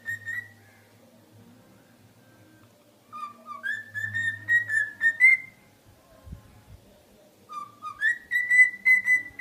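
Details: Pet cockatiel whistling the learned tune "If You're Happy and You Know It" in clear, tonal phrases that step up and down.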